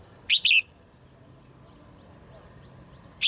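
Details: Morning song of a caged female bird: a quick pair of shrill chirps near the start, a long pause, then one more chirp at the end, set against a faint steady high hum.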